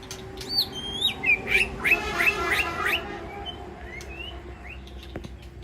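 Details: Aviary White-rumped shama calling to the flock: a few high whistled notes, then a run of about six sharp downslurred notes, followed by quieter scattered whistles.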